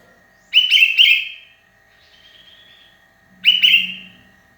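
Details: Sooty-headed bulbul, kept as a lure and calling its companions out of loneliness, gives rich buzzy whistled phrases. Two loud bursts are spaced about three seconds apart, with a softer warble between them, over a steady hum.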